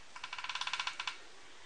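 A White-browed Piculet gives a quick run of about a dozen sharp, dry clicking notes in roughly one second, ending with two spaced ticks, against quiet background.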